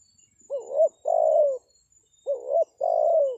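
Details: Luring call of a spotted dove meant to attract wild birds: two identical phrases, each a brief rising-falling note and a sustained coo that sinks at the end, in a quiet setting.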